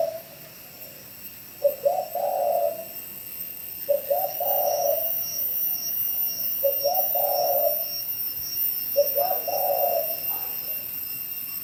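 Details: Cooing of a spotted dove in Bảo Lộc, Lâm Đồng province, Vietnam. Four deep phrases come at uneven gaps, each a brief stutter swelling into a sustained mellow coo, over constant high-pitched background hiss.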